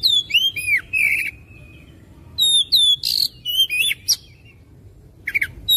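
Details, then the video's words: Fast, energetic oriental magpie-robin song, used to stimulate another bird to sing. Clusters of looping whistles and harsh chirps come in bursts separated by short pauses, with a varied, rambling delivery over light background noise. "KACER CEPAT GACOR NGOTOT BONGKAR ISIAN"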